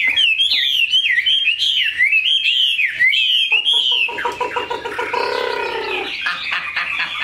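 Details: A tame, big-bodied Chinese hwamei kept in a cage delivers fluid looping whistles for about four seconds, then a harsher, buzzier stretch of lower rasping notes with faint ticking behind.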